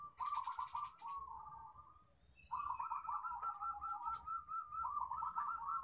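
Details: Local zebra dove song, used to lure other doves into singing: repeated rolling, rippling trilled coos in two long phrases separated by a short pause, over low background noise.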